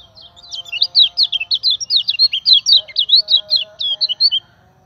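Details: Common iora lure song for training other birds: a continuous rapid series of high, jerky whistled notes, roughly five per second, running nearly five seconds over a faint low hum.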